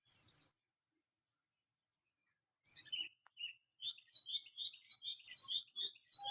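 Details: Javan white-eye, buxtoni type, heard in the morning: scattered sharp high chirps mixed with a soft run of quieter, lower twittering notes in the middle.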